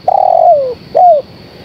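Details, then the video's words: A female spotted dove calls to a male with a long, smooth coo that falls in pitch at its tail, followed by a shorter descending coo. A faint steady high hum runs underneath. "Suara Tekukur Betina Gacor Memanggil Sang Jantan"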